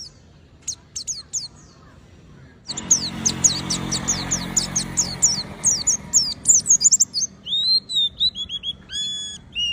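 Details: Oriental white-eye singing continuously: a few scattered high chirps, then a sudden dense stream of rapid twittering over a low hum, closing with clear slurred whistles.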